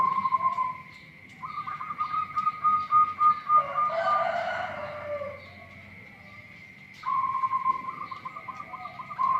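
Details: Local-strain zebra dove singing an unusual song: rattling strings of fast staccato coos in two-second bursts, a brief rush of broader noise between them, a long pause, then another burst, all over a constant high-pitched hum.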